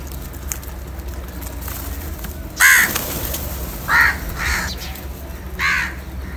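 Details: A crow feeding on salty food gives four rough, nasal caws at uneven gaps. The first is the loudest and the rest fade slightly, with a steady low hum underneath.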